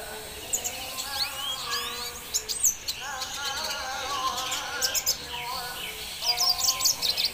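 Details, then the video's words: Red siskin singing: thin, high twittering with quick rising and falling sweeps and sharp chips, broken into short bursts, over a steady lower humming tone in the background. "Red Siskin singing"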